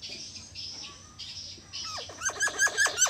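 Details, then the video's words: Talking common hill myna from Indonesia speaking back: after a quiet start, a rapid series of about six sharp, descending whistled notes closes the clip. "Indonesian Beo Bird | speaking back | Amazing Talking Bird"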